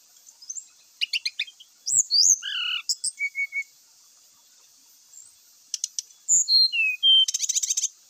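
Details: Grey-chested jungle flycatcher giving lively varied song as a lure to start other birds singing: scattered ticks, a slurred downward whistle, a few short repeated notes, a pause, then whistles and a rapid buzzy trill.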